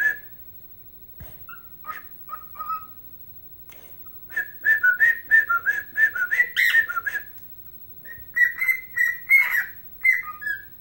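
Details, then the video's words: Pet bird, keen on the Chicago Blackhawks, whistling Chelsea Dagger while dancing. A few scattered whistles lead into a fast sequence of wavering, dipping notes, a pause, then another string of bright whistles. "Singing and Dancing Ike Bird"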